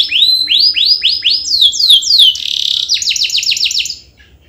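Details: Canary singing to prompt silent canaries into song: loud arched whistles repeated in quickening succession, followed by a fast, clipped high trill that fades at the end.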